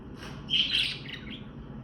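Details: Budgerigar chirp used as a contact call between birds out of sight: a single brief, high, slightly buzzy chirp with a short trailing note against low room hum.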